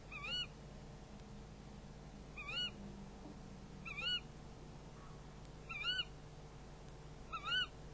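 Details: Nest-camera recording of tawny owls passing prey at the nest near midnight, 11 February 2016: five short wavering calls at irregular gaps of one to two seconds, with a soft low hum throughout.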